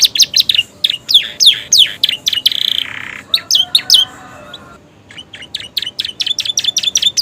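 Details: Canary song full of bar-winged prinia and sooty-headed tit imitations: loud falling whistles and a harsh buzzy burst, a brief near-silent gap, then a renewed series of quick, high chipping notes.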